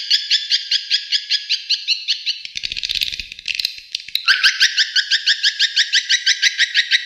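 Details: Outdoor calling sound of the edible-nest swiftlet, used to lure the birds in: steady series of sharp twittering chirps with a short harsh, noisy patch midway before the chirping resumes.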